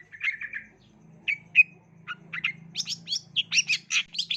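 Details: Lure song of a long-tailed shrike for young birds: opening buzzy churrs and single whistled notes, building into a fast series of harsh chattering notes; faint low hum behind.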